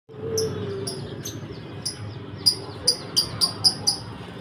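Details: Lovebirds kept in a colony cage, giving shrill, very high, sharp chirps. Sparse at first, then coming in a quick run about every quarter second, over a low background hum.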